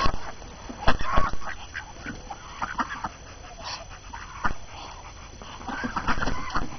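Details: Morning chatter from a group of ducks on January 6 at the first snowfall of the new year, hungry after confinement: bursts of raspy quacks at the start and end, quieter stretches between, with background rumble.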